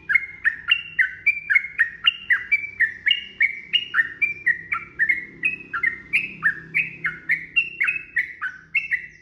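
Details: Sooty-headed bulbul singing a prolonged fighting-style song intended to make other bulbuls answer. A quick, continuous chain of warbled notes rises and falls without pause, over a steady low background rumble.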